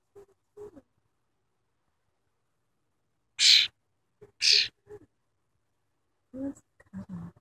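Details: Tame wild cowbird giving two loud, short, harsh high notes about a second apart, with soft human voice fragments before and after.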